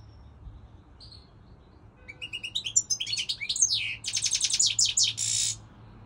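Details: European goldfinch singing, with scattered high notes before a run of fast, twittering, buzzy notes repeated in quick succession, ending in a harsh buzzy trill; low hum in the background.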